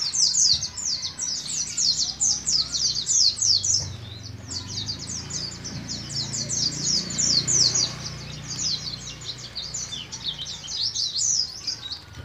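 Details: From Moga in Pemalang, Central Java, a young kept Oriental white-eye learning ngalas ngeroll song delivers long rolling runs of rapid, high, falling chips, about four a second, briefly softening midway before resuming strongly.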